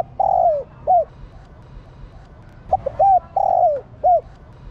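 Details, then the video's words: Female spotted dove giving a call meant to stimulate males. Two phrases, each a long mellow coo falling at its end plus a short curved hoot, the second led by quick stuttered notes. "Tiếng Cu gáy mái kích trống căng lửa"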